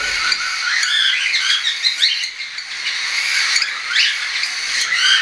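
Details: Young tame cockatiels, weaned and unweaned, flying, 10 September 2012: lively overlapping chirps and upward-sweeping squeaks from several birds, fairly loud and continuous throughout.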